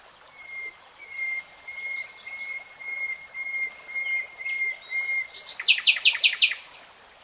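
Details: Common nightingale delivering long, pure, level whistles repeated about once a second and slowly swelling, ending in a short burst of rapid, harsh pulsed notes; other birds faint behind.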